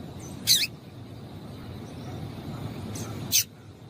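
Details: Two quick, high chipping notes from a female Double-collared seedeater, a call used to excite males, separated by nearly three seconds of faint background noise.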